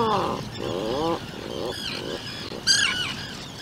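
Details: Short buzzy, harmonic Atlantic puffin calls repeat in quick bursts from a burrow on Seal Island with a 2-day-old chick and its parents, ending with a sharp, higher squawk.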